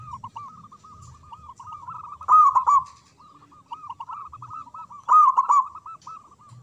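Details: Local zebra dove with a big voice in manggung and ngayer song, used as a lure for silent doves. A steady stream of quick, looping cooing notes with two loud rolling bursts about three seconds apart.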